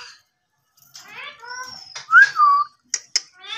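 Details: Ringneck parrot calling indoors: a mix of harmonic chattering, a loud rising then falling whistled squawk, and short sharp clicks and chirps in quick succession.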